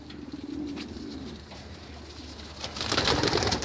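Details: White racing homing pigeons give a low, soft cooing murmur in the first second and a half, followed by rustling, scraping and fluttering noises that grow louder toward the end.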